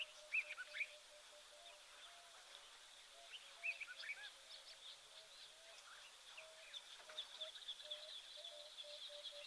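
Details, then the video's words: Emerald-spotted wood dove calling in the background at an African waterhole on 31 August 2024 while an elephant feeds nearby; soft, low, repeated cooing notes, with other birds chirping faintly above. "You can hear the emerald spotted wood dove calling in the back."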